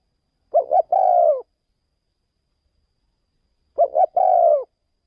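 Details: Spotted dove used as a caged decoy bird, taken to another province for decoy trapping; two low cooing phrases about three seconds apart, each a quick stuttered double note then a longer mellow coo, with a silent background.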